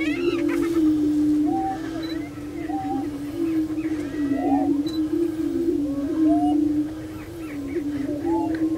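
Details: Lek of prairie chickens at Bluestem Prairie Preserve, Glyndon, Minnesota, giving a low, unbroken moaning boom chorus, laced with scattered rising whoops and short clucking cackles from many birds.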